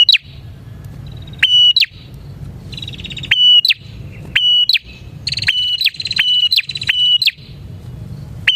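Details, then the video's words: Bar-winged prinia in full, lively song, used as a lure for catching prinias: loud, sharp whistled notes, each a steady tone ending in a quick upward flick, given in short bursts with buzzy trills between them. A faint low hum runs underneath. "suara burung prenjak gacor ini 💯% ampuh untuk pikat prenjak dan pancingan prenjak"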